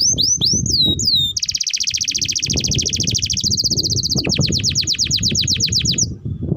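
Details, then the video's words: Long continuous canary song used as a training model for young canaries: rapid trills and rolls high in pitch, swooping notes giving way to fast buzzy repeated tours, with low background rumble. "Pancingan Burung KENARI Gacor Panjang || Masteran Kenari Paud"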